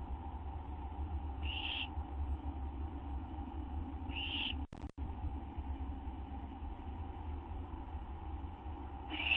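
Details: Owl at a nest just after midnight on 6 September 2011 during a food delivery, one adult bringing a treat; three short harsh hissing screeches spaced a few seconds apart over a steady low electrical hum.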